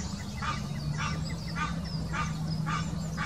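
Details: Mating call of an Egyptian goose in the Wittlicher Senke, 2018: five harsh, nasal honks at an even pace roughly every half second, with a constant low hum and faint background chirping.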